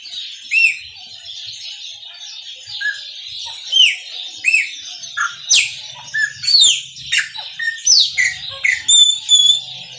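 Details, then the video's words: A chopi blackbird's Maranhãozinho song builds from sparse curled whistles into a dense, quickening stream of loud upswept and falling notes with bright overtones. "PÁSSARO PRETO MARANHÃOZINHO CANTA MUITO"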